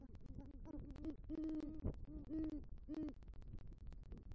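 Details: Great horned owl hooting in a nest tree in Southwest Florida at night, November 2023, as the male arrives with a rodent and calls for his mate; a series of low, drawn-out hoots with short pauses, plus one sharp knock.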